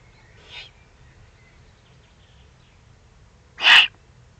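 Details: Below its nest site in the Eifel on 31 May 2020, a Eurasian eagle-owl gives a soft breathy hiss, then about three seconds later a loud, abrupt, rasping hiss. The background is quiet.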